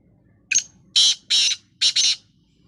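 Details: A black francolin dust bathing gives its loud grating call, one brief note followed by two long harsh rasps and a quick double rasp, all within about two seconds, in an otherwise quiet setting.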